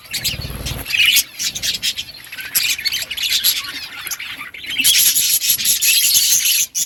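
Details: Budgerigars at their green food chatter continuously in bright, buzzy chirps and squawks; a soft low thump opens the recording before the busy twittering builds and grows fuller toward the end.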